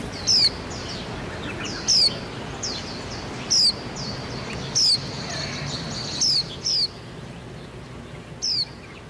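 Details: Wild white-eye tending its young until they can fly: a sharp, very high, downslurred chirp repeated roughly every one to two seconds, with fainter softer notes between, over a quiet, hissing background.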